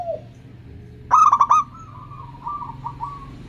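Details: Local zebra dove singing in the prized 'kristal' voice, played to coax doves that rarely sing: a brief soft note, a pause, then rapid clipped notes followed by a level coo and a few softer repeated syllables.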